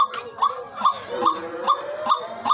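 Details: A captive White-breasted Waterhen kept as a hunting decoy, calling in winter, said to call in any season, gives a loud, hoarse note repeated steadily about twice a second, with a lower droning sound underneath.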